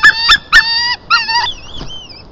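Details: White-tailed eagle in Estonia, 22 March 2023 at 1:53 pm, during a fish gift and mating; three sharp barking yelps, the last drawn out, then a thin wavering whistle fading away in a quiet setting.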